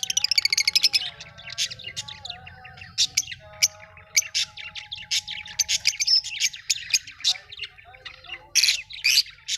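Lovebirds chatter in a busy stream of sharp, high chirps and squeaky notes that overlap as several birds call at once, with brief rasping bursts.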